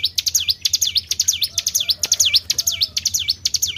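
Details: Tribel bird lure recording: a rapid run of sharp, high, swooping notes, each dipping and rising, repeated about twice a second without pause, over a faint low hum.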